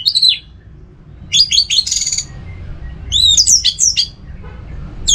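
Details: Orange-headed thrush kept at home in North Bali, Indonesia, singing short bursts: a falling whistle, a dense buzzy chattering phrase, then looping warbled notes and a final high note, over a faint low rumble.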